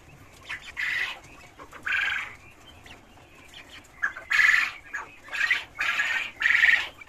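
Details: Caged Cochin chickens on a farm making repeated loud, raspy squawking calls about every second, overlapping, with a steady background hum.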